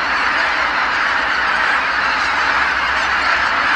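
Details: Geese returning to Kabukuri-numa marsh after sundown, the flock calling all together in a constant blur of overlapping honks.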